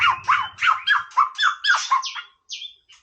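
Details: White-rumped shama singing casually, a quick run of down-sweeping notes that speeds into a jumble, then two short high clear whistles close the phrase; faint low hum at the start.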